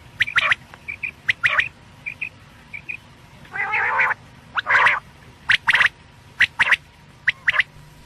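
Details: Batair (quail) night calls from Pakistan's quail hunting: sharp clicky chips and small soft notes, then a long grating nasal note and more crackling double chips in uneven clusters.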